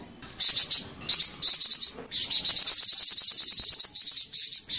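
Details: Flamboyan bird song used as a lure (pancingan) to prompt caged Flamboyan birds to answer and sing: very high, rapid chirping bursts in quick series, broken by short pauses, then a long sustained run of fast twittering notes.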